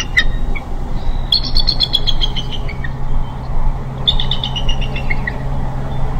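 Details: Bald eagle at the nest during pip watch, day 35, April 4 2015, on a live camera: two runs of high, squeaky whistled notes, quick and slightly descending, over a constant low hum.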